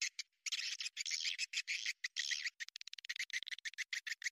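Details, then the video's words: Chattering swiftlet calls used as a sound lure for a bird house: raspy high trills in longer blocks, breaking into fast, choppy chirps in the second half. "ST burung walet original !! tarikan nya joss"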